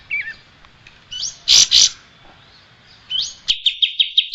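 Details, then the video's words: Singing striated grassbird from a training recording for cage songbirds: a wavering whistle, two loud explosive notes, an upslurred whistle, then an abrupt cut to a rapid series of six ringing, evenly repeated chirps. "Ocehan Burung Kapas Tembak"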